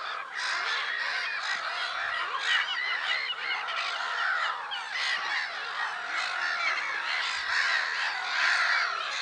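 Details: Black-headed gulls at Lake Sarymsak, Pavlodar region, Kazakhstan, on 10 April: a dense, continuous chorus of harsh, grating calls from many birds, overlapping without pause, with steady background noise.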